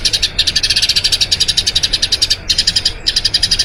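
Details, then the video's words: Eurasian tree sparrow in long rolling song, recorded as a training master for other birds; a fast run of shrill chirps, interrupted by short silences near the start, middle and end. "Masteran Burung Gereja Ngerol Panjang"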